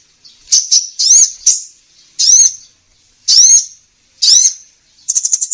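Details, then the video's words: Sunbird lure sound for trappers, called kolibri ninja: a few quick chips, then high arched sweeping notes roughly once a second, ending in a fast metallic trill. "Suara pikat burung kolibri ninja"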